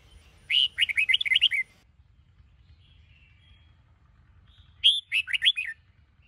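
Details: Caged red-whiskered bulbul, Sông Kôn song style, in a morning song-training recording: two fast, bubbling phrases of clear chirped and slurred notes about four seconds apart, with quiet between them.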